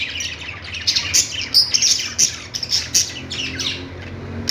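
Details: Budgies twittering with high squeaky notes and buzzy chatter, irregular loud peaks every half second or so, above a steady low hum.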